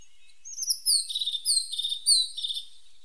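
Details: A tit, named as the pointed tit, sings a fast high sequence of drawn-out descending whistles alternating with fine buzzy trills over faint background hiss.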